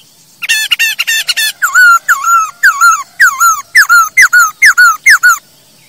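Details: ['Masked laughingthrush singing, a recording meant to lure and tutor other birds: a quick buzzy opening burst followed by steady loud whistled phrases, each a falling slur, repeated roughly twice a second.']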